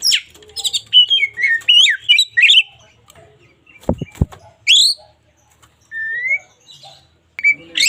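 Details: White-rumped shama, local Indonesian bird used for daily song training: busy run of varied whistles and sweeps, a pair of sharp clicks, then a few spaced rising whistles.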